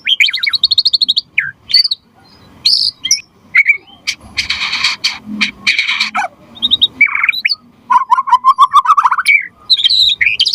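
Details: White-rumped shama in full, energetic song, used to provoke other shamas into singing and as a tutor song. Rapid high trills and sharp whistled notes, then a harsh buzzy, noisy burst midway, ending in fast descending chatter and bright whistles.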